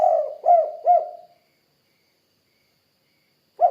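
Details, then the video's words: Spotted dove cooing: three soft, low, hollow coo notes in quick succession, each gently rising and falling, followed by silence and the start of another coo at the end. "Suara Burung Tekukur Kuk 2 Gacor"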